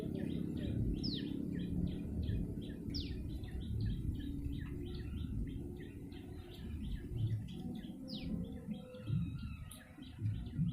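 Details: Yellow-bellied prinia call used to lure birds: a rapid, steady run of short chirping notes with a few high, downward-sweeping notes, lasting about nine seconds over a constant low rumble of background noise.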